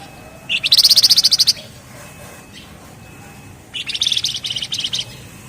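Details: Javan fulvetta singing ngebren rapat: a loud burst of rapid, evenly spaced high chips, then a quieter second rattle after a short pause, each phrase about a second long.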